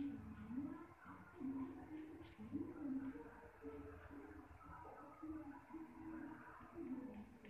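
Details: Chaplin's barbet (Lybius chaplini) calling: low, nasal, gargling notes in an uneven run, roughly two a second, with softer chattering behind them.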